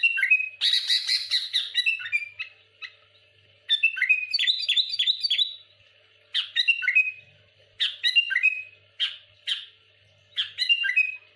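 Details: Sooty-headed bulbul in rapid, rival-baiting song: a loud rasping burst, then repeated chirpy phrases and sharp note clusters separated by short silences.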